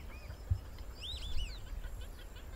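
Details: A Whistling Heron (Syrigma sibilatrix) fishing in Brazil gives a quick burst of four or five high, thin, arched whistles over steady low rumbling wind noise.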